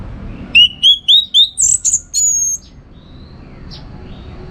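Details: Orange-headed thrush, caged in northern Bali, singing as a contest training model: four rising whistles, then high buzzy slurred notes, then near silence and a final faint note.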